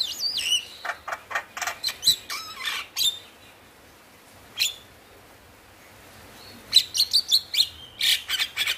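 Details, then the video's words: Energetic male Javan myna song, used to coax lazy caged mynas into singing: squeaky whistles and grating chatter, a pause with a single note, then a fast burst of clipped chirps. "Jalak Kebo Jantan Gacor Masteran - Pancingan Burung Jalak Malas Bunyi"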